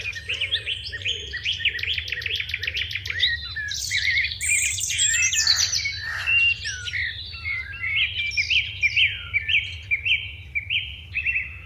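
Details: Sparrows chirping in the morning: busy overlapping high chirps and short repeated notes, with several low rough calls near the start and a steady low background hum throughout.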